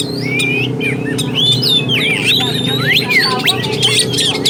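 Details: Oriental magpie-robin lure song for stirring arousal and emotion: looping slurred whistles and rising-falling notes, set against constant loud low-pitched hum.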